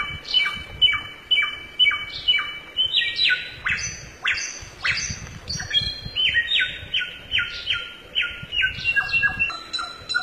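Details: ['Forest samyong bird giving a lively, varied song: runs of sharp downslurred whistles and bright chirps, repeated in quick succession with changing pitch throughout.']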